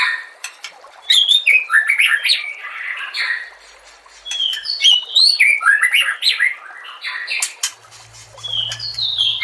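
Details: White-rumped shama singing on a masteran training compilation: scattered sharp notes, then two loud bursts of fast, varied whistling and chattering phrases, with a faint low hum at the close.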